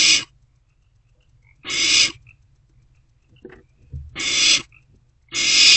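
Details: Barn owl chick in a nest box at night, 16 March 2024, swallowing a delivered rodent; four harsh hissing screeches in two pairs, separated by a quiet stretch with soft low scuffling.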